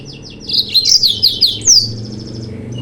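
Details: Yellow-fronted canary song used to provoke rival birds: rapid series of high bright notes and trills, a sharp upslurred whistle, then a softer fading trill, over a steady low hum.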